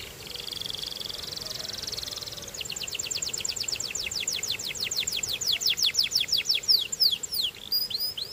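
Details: Belgian canary song opening with a fast buzzy trill, then a long rapid series of sharp repeated notes that grows louder and quickens toward the end, over a light background hiss.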